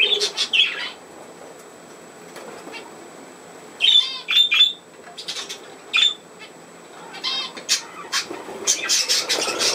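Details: Pet budgerigars playing, 27 August 2024: scattered piping squeaks and rattling trills in short clusters, separated by quieter pauses, with a busier flurry of chirps toward the end.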